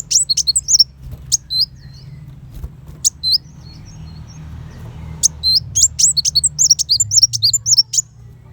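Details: Kolibri wulung sunbird song used as tutor material for contest white-rumped shamas: isolated high, sharp notes at first, then a dense fast burst of thin chirps and sweeps in the fiery 'tembakan besetan' style, over faint hum.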